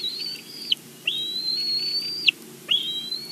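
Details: Bald eagle on a Big Bear live nest cam, bringing a game bird to the nest, gives long, high, level whistles, each ending in a quick downward slur, three in a row about a second apart.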